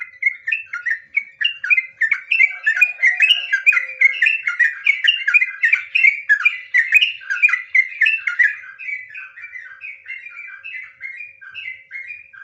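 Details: Sooty-headed bulbul in full 'nggaruda ngropel' song, a long, unbroken run of loud, bubbly, warbling phrases delivered quickly and evenly, fading slightly toward the end.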